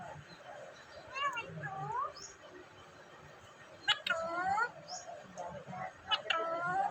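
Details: Talking pet parrot from Vehari, Punjab, Pakistan, uttering separate speech-like phrases of bending, nasal harmonic tones, with sharp clicky starts and gliding falls, spaced a few seconds apart over a low room hum.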